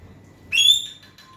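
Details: Asian pied starling singing to prompt a quiet bird of its kind to sing, a single loud rising whistled note that levels off and fades.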